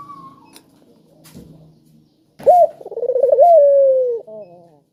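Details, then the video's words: Spotted dove calling to set off other, quieter doves: faint clicks and a soft high note, then one loud coo rising, quavering quickly and gliding down slowly, ending in a soft short echoing coo. "Burung Puter Gacor Suara Merdu,Tajam Cocok Buat Pancingan Yang Pemalas Bunyi"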